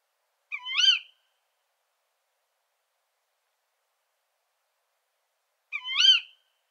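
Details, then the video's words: Female Tawny Owl, whose call inspired the folk name 'kuwik', uttering two rasping, nasal shrieks about five seconds apart. Each is roughly half a second long and rises then falls, with silence between and around them. "Głos samicy puszczyka zwyczajnego (Strix aluco)"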